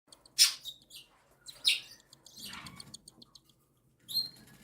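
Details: Cockatiel chicks, one a day old and two a week old, begging as their mother feeds them indoors; loud high chirps at intervals between faint rapid ticking pulses.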